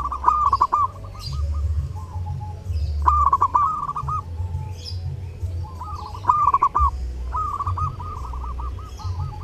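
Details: Zebra dove singing energetically at Lebaran, intended as a tutor recording for other birds: four phrases of quick, clipped, bubbling coos, each trailing into a rolling run of notes, set against a pulsing low drone.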